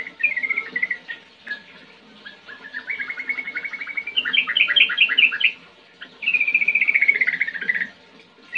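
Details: Sooty-headed bulbul in gacor ngerol song, a lure for young birds: chirped notes lead into a steady rattling trill, then a loud bubbly run and a long descending rolled trill.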